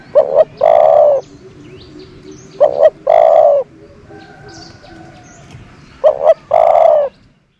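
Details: Decoy dove kept to lure wild doves, giving a cooing phrase: a quick pair of short low coos followed by a longer, drawn-out coo. The phrase repeats three times about three seconds apart, with faint chirps from other birds between.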